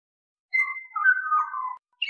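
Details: Brief Pied Butcherbird phrase of overlapping, fluty whistled notes that waver slightly in pitch before stopping abruptly.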